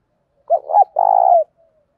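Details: Loud, clear calling coo of a spotted dove kept as a lure bird, trained to provoke wild doves: a quick hooted note, a wobbling middle note, then a sustained throaty coo that slides down, with nothing else heard.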